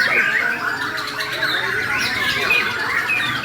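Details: Aggressive fighting-style song of a Bornean murai (white-rumped shama): rapid, loud, overlapping whistles and harsh chatter, sustained without pause.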